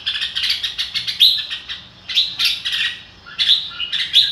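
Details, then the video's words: Red-whiskered bulbul singing in the style locally called "ro kích bổi": dense bursts of bright, fluty chirps and short warbled phrases, clustered in three lively bouts separated by brief pauses. "chào mào ro kích bổi sung theo"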